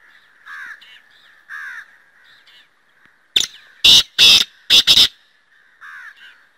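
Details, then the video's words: Black francolin, known as Kala Teetar, calls loudly mid-recording: one sharp clipped note followed by four coarse, rasping notes in a rapid, slightly uneven phrase, with quieter warbling chirps of other birds before and after. "Best Voice of Kala Teetar Black Francolin Voice"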